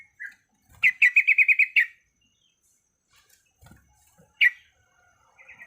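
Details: Female Yellow-vented Bulbul in breeding condition calling males gives a rapid chattering string of bright chip notes, then a single sharp note and soft chirps after quiet gaps with faint clicks.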